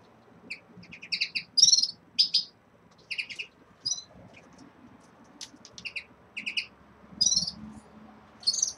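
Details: Bright, high-pitched twittering from caged red-fronted serins as moulting begins, short chirps and sharp notes repeated every half second or so in uneven clusters, clear against a quiet room.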